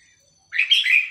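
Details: A captive Red-whiskered Bulbul, tamed over about two months and now singing confidently in front of the camera, breaks a brief silence with one quick, rich, bright, liquid warbled phrase with fast pitch ups and downs.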